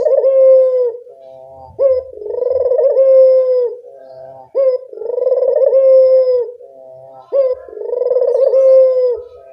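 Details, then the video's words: Barbary dove calling, used to prompt reluctant doves into song: deep, drawn-out rolling coos, each opening with a sharp rise, repeated about every two and a half seconds, three times. "Masteran burung puter gacor, mengatasi burung puter malas bunyi"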